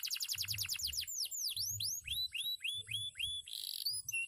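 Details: Singing canary, a former field bird: rapid high trilled notes give way to deep V-shaped swooping whistles and rising slurred notes, several a second, ending with a buzzy burst; dull low thuds pulse underneath.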